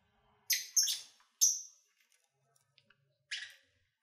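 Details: Lovebirds kept as pets, heard while eating and playing: a few sharp, high squeaky chirps in a quick cluster, a pause, then one more buzzy chirp, with faint ticks between.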